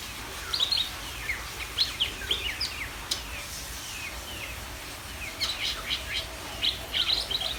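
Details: Greater green leafbird pouring out rapid whistled slurs and clustered sharp chirps, high-pitched and energetic, with short pauses between bursts and a faint background hiss.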